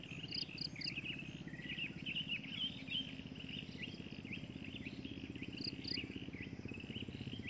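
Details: Breeding adult drongo giving rapid chattering, slurred notes in a busy run, with short bright paired notes above and a steady low mechanical hum beneath.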